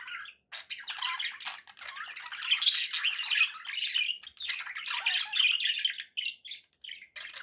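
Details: Pet budgerigars in a long stretch of scratchy warbling and squeaky chirps, with brief pauses in the second half and rapid bursts of notes.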